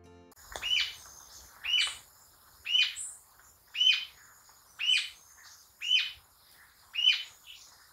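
A Rufous-tailed Jacamar gives sharp, high, slurred notes, one about every second, seven in a steady series with little else behind them.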